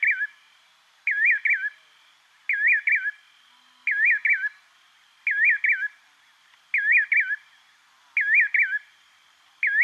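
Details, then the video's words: A nightjar gives bouncy, whistled double and triple notes, repeated roughly every one and a half seconds, over a quiet background. "Nightjar bird"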